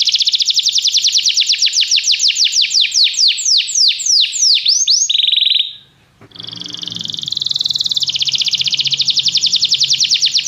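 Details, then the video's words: Canary song used for canary training to prompt singing: rapid series of descending whistled sweeps, then a steady tone, a brief pause near six seconds, and a fast buzzy trill to the end. "Este canto canário inspira o apetite do seu canário para cantar imediatamente"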